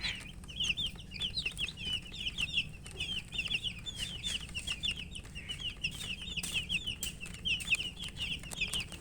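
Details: Thirsty coloured baby chicks chirp nonstop while feeding, a dense chorus of piercing high peeps packed almost without gaps. Faint tapping and clicks of eating run underneath.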